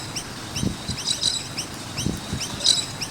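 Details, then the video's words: Noisy miner birds near a skate park: spaced high chirps, a denser burst midway and another near the end, with soft low thumps in the background. "Noisy Miner Birds with Chirping Sounds"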